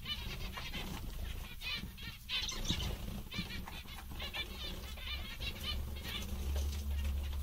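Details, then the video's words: Zebra finches, called very contented, give bursts of nasal beeping calls in clusters with brief gaps between. A strong low rumble and hum run throughout. "Mandarins bastante engraçados e contentes"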